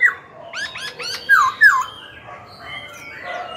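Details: Black-throated laughingthrush kept caged, singing to goad rival birds and train chicks. A rapid series of harsh, rasping notes leads into two loud downward-slurred whistles, then softer fading phrases.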